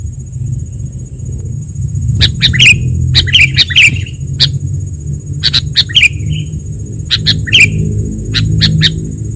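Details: Sooty-headed bulbul lure recording used for trapping and song training: clusters of sharp clicks and short chirps near mid-high pitch, arriving in quick bursts with pauses, over a steady low rumble and a constant thin high hiss.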